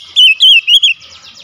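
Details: Oriental magpie-robin (kacer) giving a brief song phrase: four loud, wavering whistled notes in quick succession, slightly descending, followed by quiet.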